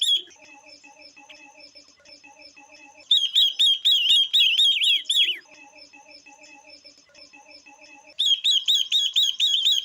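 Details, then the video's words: Female Chinese hwamei kept with a female ngũ sắc bird to excite males: two bursts of rapid, ringing, looped whistles, roughly two per second, each ending with a downward slur, separated by stretches of soft, low, steady chattering. "Ngũ Sắc Mái Kèm Quế Lâm Mái Kích Trống Thật Nhạy.Tiếng Chim Ngũ Sắc Mái/ Quế Lâm Mái Hót"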